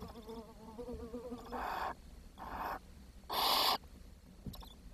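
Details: Barn owl chicks at the nest, June 2023, after the youngest starved and was fed to its siblings: a faint wavering hum, then three hisses, the last one loudest.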